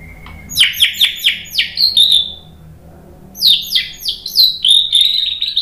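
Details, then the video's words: White-rumped shama song for provoking birds: two runs of loud, sharp downslurred notes, each series repeated rapidly, separated by a short quiet pause. "TEMBAKAN MURAI BATU biar NYAUT ikug GACOR BONGKAR MATERI ¦ PANCINGAN MURAI"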